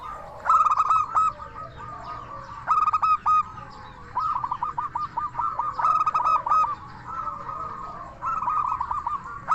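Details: Active local zebra dove with a clear 'crystal' voice, played to make other doves respond: loud ringing staccato bursts alternating with quick rolling trills, roughly every two seconds.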